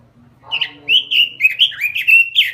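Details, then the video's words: A robin used as a lure bird sings a quick phrase of clear, slurred whistles, each note dipping and rising, with a faint low hum behind. "Suara Pikat Burung Robin Full Gacor . Masteran Burung Robin"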